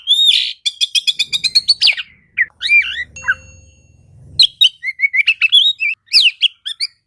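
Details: Magpie-robin song meant to prompt quiet birds to sing: a fast rattling series of high notes, then looping whistled phrases and a long varied stretch of sweet, rising and falling notes, faint low hum behind.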